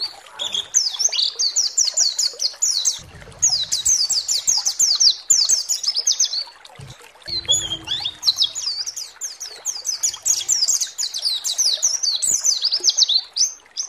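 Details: Pleci (white-eye) lure recording to provoke singing: long, dense runs of rapid high downslurred chirps repeated almost continuously for about fourteen seconds, with short breaks and faint low noise.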